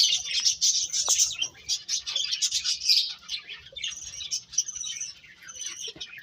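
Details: Several birds twittering together, with a continuous stream of thin, high chirps that is loudest in the first three seconds and then thins into scattered tweets.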